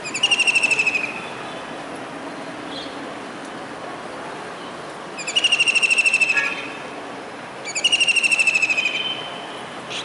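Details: On a rainy July 2019 day in Surat, Gujarat, a kingfisher sits on a rooftop dish antenna, calling. It gives three rapid, shrill, rattling trills about a second long, separated by pauses of several seconds, over faint town background noise.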